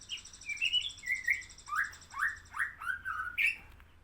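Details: Sooty-headed bulbul singing vigorously: a clear series of about ten loud whistled notes, many sharply down-slurred or rising, delivered roughly every third of a second, with a faint high pulsing buzz behind the first half.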